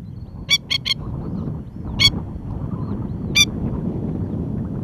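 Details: Female Masked Lapwing (Spur-winged Plover) at a ground nest, racing back to stop her one-hour-old chick wandering off as danger threatens: harsh, ringing calls, a quick burst of three, then single notes spaced more than a second apart, over a low rumbling background.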